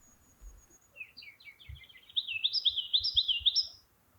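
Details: A Ruby-crowned Kinglet singing high in a tree during spring migration, establishing its territory, gives a high thin series building into a fast, loud run of rolling, rising-and-falling phrases, with faint low thumps beneath; a Winter Wren sings nearby.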